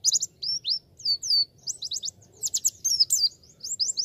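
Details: Javan white-eye singing as a beginner's training recording: continuous high, thin twittering in quick bursts of slurred, chirpy notes and brief trills, with short pauses between phrases.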